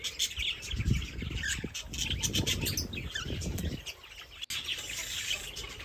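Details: A flock of birds chatters with overlapping high chirps and tweets over low fluttering and rustling noise, then a brief sharp click near the end.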